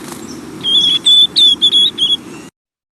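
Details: A young White-throated Sparrow, hatched this summer in northern forests, practises fall subsong babbling: a loose, less structured run of five or six pure, high whistled notes, some wavering or slurred, over a low rumble.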